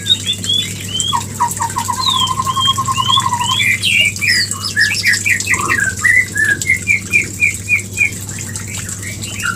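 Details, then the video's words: White-rumped shama used as a mating lure: a rapid trill of evenly spaced notes followed by a long varied string of clear whistled and chirped phrases, repeated quickly, over a faint steady hum. "Pancingan murai Kawin"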